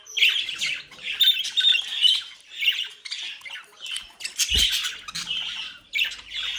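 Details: Lively captive budgerigars from a home breeding group in South Holland, Netherlands, chatter with grating warbled squawks one after another, broken by a single low knock near the middle.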